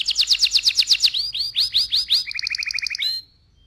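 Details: Canary song meant to excite the male and prepare the female for breeding: a loud run of rapid repeated notes, then upward-sweeping whistled phrases, ending in a fast low trill that stops abruptly.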